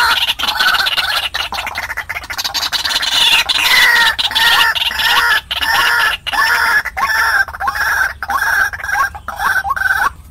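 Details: White-breasted waterhen calling on a recording used to attract wild birds, a steady run of harsh, nasal notes with upward-curving inflections, repeated over ninety times a minute with short gaps.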